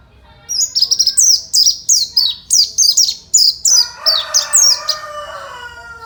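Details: Fighter-type song from an Oriental white-eye, intended to trigger other white-eyes to sing back: rapid string of shrill descending chirps, roughly two per second, with a lower harsh drawn-out sound underneath toward the end.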